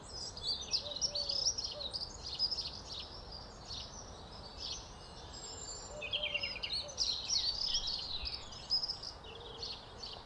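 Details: A couple of house sparrows in early April sun near their small nest under roof tiles chirp and chatter constantly, overlapping in a busy, uneven stream of high cheeps over a steady background hiss.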